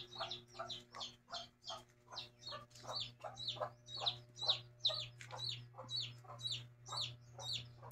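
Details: Chicks with their mother hen give rapid, high, repeated peeps, about two each second, over a steady low hum.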